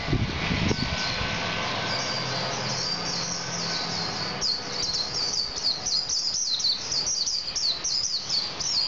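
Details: Vigorous song of a male Javan white-eye: an opening thump, soft high twittering, then from mid-clip a fast, sustained stream of sharp, high chirps and trills over faint background hum.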